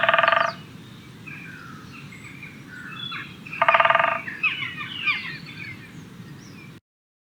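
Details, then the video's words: A great spotted woodpecker drums two short, rapid rolls, each about half a second, roughly three seconds apart, with small birds chirping and a low rumble behind. "Great Spotted Woodpecker Drumming"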